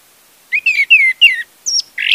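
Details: Lure recording of orange-headed thrush meant to set a silent bird singing: a rapid run of bright, warbled whistles sliding downward, followed by a high thin note and a harsh buzzy ending.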